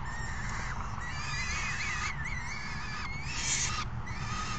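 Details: Hungry falcon young call as a parent feeds them, 3 June 2018. A long, undulating whine rises and falls, then a brief harsh screech, over a low constant hum.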